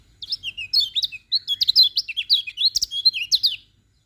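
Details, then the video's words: Morning song of a lemon-bellied white-eye, a lively unbroken stream of high, sweet twittering notes with rising and falling slurs and quick chirps, lasting over three seconds before falling quiet. "Kicauan Kecial Kuning Pagi Hari"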